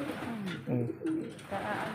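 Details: Fancier's direct-import pigeons in Zambales, Philippines; several low, hoarse cooing phrases, the first sliding downward, each about a quarter second, separated by short pauses, with faint room noise.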